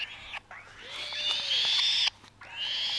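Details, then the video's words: Black-shouldered kite chick, 35 days old, kept for falconry, being fed: long hoarse wheezy screeching rising and holding high, broken by short gaps. "Giving falconry eats 35days falcon baby (black-Shouldered kite )"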